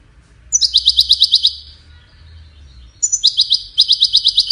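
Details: Goldfinch song used in courtship and communication. Two short phrases come about two and a half seconds apart, each a high clipped note followed by a rapid run of ringing, buzzy repeated notes, with only a faint low hum between them.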